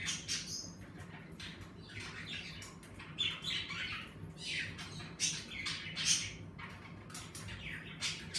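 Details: Several pet budgerigars chatter in an indoor bird room, giving rapid, scratchy chirps and brief squawks in irregular bursts, somewhat quieter, over a constant low electrical hum.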